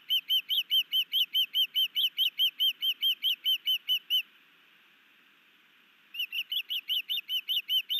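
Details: Osprey, a newly arrived male, sky dancing and carrying a fish to his mate over a Missoula, Montana nest, May 2019: steady string of clear, high chirped whistles, around fifteen notes, silence for two seconds, then another quick series.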